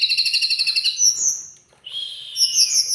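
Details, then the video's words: Lively song of a teledekan gunung: a fast trilled, pulsing run of high notes, then sharp whistled slurs, a short gap, and a rising burst of shrill warbled phrases. "Teledekan gunung gacor super istimewa"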